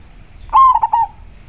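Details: Local zebra dove singing actively with a very clear voice: one cooing phrase near one kilohertz, a long slightly falling opening note followed by three quick rolling pulses and a soft trailing end, over a quiet background.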